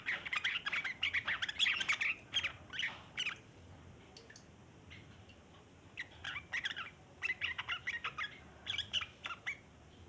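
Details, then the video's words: Yellow-vented bulbul chattering continuously, a recording used as a lure for wild bulbuls: dense, rapid scratchy twitters for three seconds, a short pause, then repeated shorter chattering bursts. "burung trucukan ngeriwik panjang cocok buat pancingan trucukan bahan"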